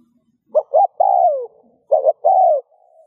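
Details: Cooing spotted dove, used to stimulate other doves to coo; two short hollow notes lead into a long sliding coo that falls at the end, then the phrase starts again.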